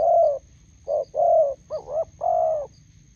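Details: Near a road in Gia Lai, Vietnam, a spotted dove decoy calls with a wild bird; drawn-out low coos, one with a wavering, dipping middle, given in an uneven sequence.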